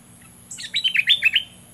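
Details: A captive Olive-winged bulbul used as a decoy bird for trapping wild bulbuls in southern Thailand gives a brisk, bubbly phrase of about six quick, liquid notes dipping and rising, lasting about a second over a faint low hum.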